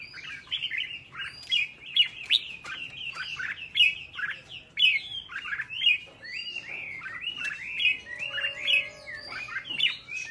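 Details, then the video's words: Red-whiskered bulbul song, used to train birds to sing brightly with double notes like wild birds: a steady run of bright, chirpy, warbled notes, roughly one per second, sometimes doubled, with a faint low hum underneath. "Luyện giọng cho chào mào hót sáng, ép chào mào hót âm kép già rừng hay tuyệt!"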